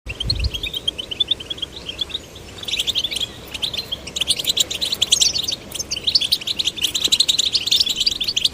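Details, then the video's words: Goldfinch chicks, male and female, encouraged to sing: a dense, high twittering of rapid chirps and trills, quieter at first, then bursting into fast jangling phrases that run almost without pause. "Stimulating male and female goldfinch chicks to sing birds chirping"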